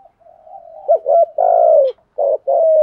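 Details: Male and female spotted doves cooing in an urging, stimulating style: a quiet rising murmur, then a hoarse rolling double note, a long loud sliding coo, and two more stout coos close together.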